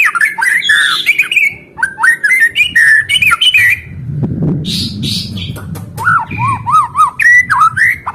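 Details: White-rumped shama in full song, kept to get caged birds singing again: loud, varied whistled phrases with rapid rising and falling notes, brief chattering bursts and a run of repeated looping whistles near the end.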